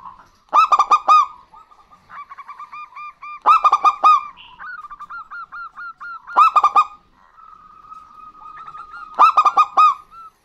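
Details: Male and female local zebra doves calling back and forth, sung as a lure. Loud bursts of four or five staccato, ringing coos come about every three seconds, with long strings of soft, bubbling, evenly spaced notes in between.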